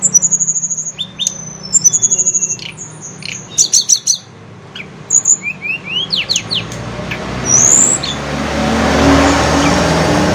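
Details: Blood-breasted flowerpecker, locally tledekan gunung, said to reply every morning and afternoon: fast stuttering series of high ticks, sharp clicks and rising thin slurs, fading into broad background noise near the end.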